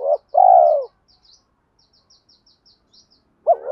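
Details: Spotted dove used as a decoy, cooing in "thổ" style with "thúc đấu" challenge notes; a long low coo ends one phrase, then quiet with a series of thin high chirps from another bird before the next phrase begins.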